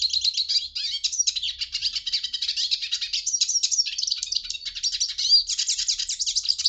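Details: An unbroken, busy twittering of a hooded siskin, mixing high thin chirps, quick trills and upward-slurred whistles without pause.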